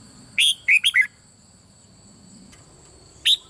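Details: Bern red-whiskered bulbul singing rik, played so other birds respond. A single phrase of four ringing, slurred whistles falling at the close, then quiet with a thin constant tone, and a new phrase starting near the end.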